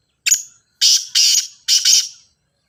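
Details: Grey francolin call used to make a captive teetar begin calling: a short shrill note, then two long harsh grating syllables, then another pair, very loud and piercing against silence.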